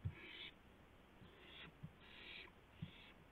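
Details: Owl with a gopher for its mate, 2:51 AM on April 2, 2016, live camera: four breathy, hissing screeches in quick succession, mixed with sharp low knocks and scuffing.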